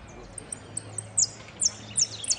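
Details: Saffron finch competing in a singing contest at Piran on 25/09/16, giving thin high chips that build into three loud descending whistled strokes near the end, with low room hum beneath.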